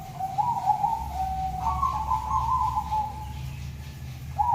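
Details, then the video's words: A tame white Zebra dove with red eyes, singing in full voice: smooth, hollow mid-pitched coos, a lower held note stepping up into a longer level tone, then a fresh coo beginning near the end, over a soft hiss. "burung perkutut putih mata merah jinak cetetan gacoran"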